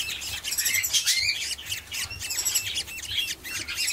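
Young budgerigars give a dense, continuous chatter of high, scratchy chirps and squeaky notes that overlap without pause.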